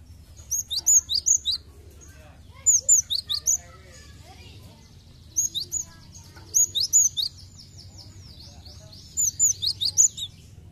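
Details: Cinereous tit song meant to get caged birds singing quickly: five rapid groups of three to four high, piercing, down-slurred whistles, evenly spaced across the recording, with a faint buzzy trill and low hum in the background.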